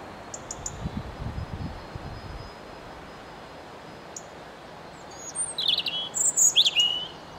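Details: European robin song: a few faint, high, isolated notes early, then a brief phrase of thin, high-pitched, varied warbling and trills near the end. Low rumbling noise, likely wind or handling, comes in the first seconds.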